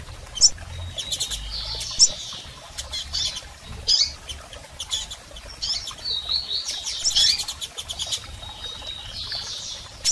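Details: Female and male double-collared seedeater calls for exciting a male: bursts of clicky high chirps and short trills separated by pauses, recurring through the recording.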